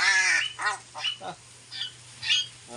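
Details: Pet mynahs kept together with pet crows; loud harsh harmonic calls open the clip, followed by a series of shorter nasal squawks of varied pitch, each about a quarter second long, with pauses between.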